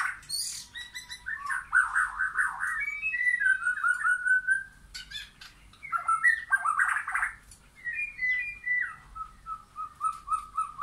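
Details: Song of a white-rumped shama in a backyard forest visited by wild birds beside caged ones: a loud varied warble, then slurred falling whistles, and finally a run of evenly repeated clear notes.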